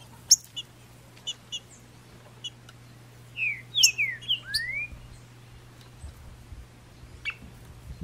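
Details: Green-winged saltator in the bush after its moult, May 2019, delivers a short, softer phrase of sliding whistles ending in a long upward slur, amid scattered clicks and faint distant chirps.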